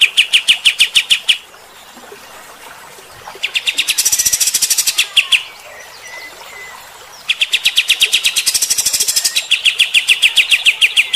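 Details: Kapas tembak bulbul in a coarse 'shooting' song used to provoke fighter-type birds: bursts of very fast, evenly spaced high notes, broken by harsh, hissing, rattling passages, then rapid chipping again.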